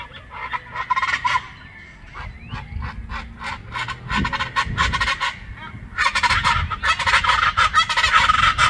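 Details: Chachalacas in Colima, Mexico, sing in a loud, harsh, raucous chorus of rapid, grating honks that overlap and swell, nearly continuous over several seconds.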